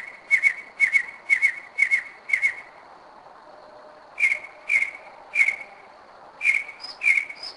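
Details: Singing at 2am in Kennesaw, Georgia, 2011, a Northern mockingbird that returns each year; clipped whistled notes repeated in a fast regular series, then slower spaced notes with a faint higher whistle in between.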